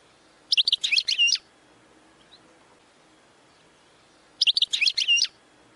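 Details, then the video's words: Goldfinch training song: two short, bright twittering phrases of quick high chirps and trills, about four seconds apart, over a soft steady background hiss. "90 Minutes of Goldfinch Singing"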